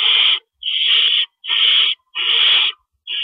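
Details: Owls at a nest at about 4:30 AM in April 2012, during rabbit deliveries; loud, drawn-out, harsh hissing screeches, each about half a second or longer, repeated almost without pause.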